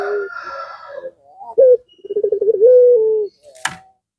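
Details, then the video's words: Puter pelung (spotted dove) giving a provoking call meant to make other doves respond: faint murmuring at first, then a fast stuttering run of short coos leading into a drawn-out steady coo, followed by a sharp click. "Suara Gacoran Puter Pelung Ini Membuat Lawan Emosi Dan Terpancing Ikut Gacor"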